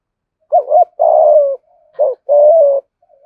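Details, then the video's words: Lure spotted dove performing the 'thổ' voice style as part of a full thúc, gù and gáy sequence. Two coo phrases: a doubled opening note and then a sustained, gravelly coo that drifts down. A soft hum is heard between them. "Chim Cu Mồi giọng thổ Bài Bản thúc + gù + gáy Gọi đủ bài"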